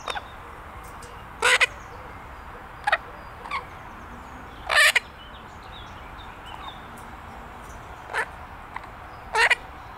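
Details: A six-month-old pet Illiger's macaw playing in a garden gives harsh, rasping screeches, about six loud squawks at irregular intervals over ten seconds, against a steady low background hum.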